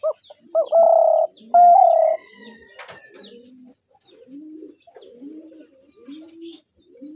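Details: Spotted dove opening with a short note and two long, loud, smooth coos, followed by a run of quiet, low, evenly spaced coos and a brief sharp click midway.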